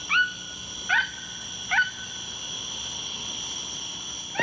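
A toucan gives short, sharply rising yelps, like a puppy's bark, spaced about a second apart, over a steady high insect-like hum.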